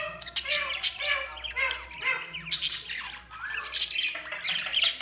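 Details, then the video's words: Continuous budgerigar chatter, dense overlapping chirps, buzzy squawks and rapid warbles from several birds, with no pauses across the whole stretch. "Budgies Sounds| Budgies Chirping sound"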